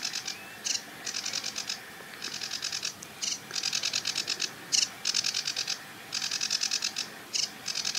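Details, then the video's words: Male Sedge Warbler on a treetop beside a marsh reedbed, pouring out harsh, grating chatter in phrases of a second or so, with short breaks and occasional sharp accented notes. "SEDGE WARBLER Singing & Calling"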